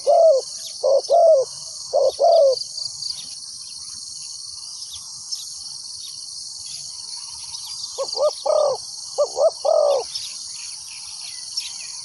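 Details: Spotted dove used as a decoy to attract wild doves: a few bursts of mellow paired coos at the start and end, separated by a quiet stretch filled only by a continuous high insect hum.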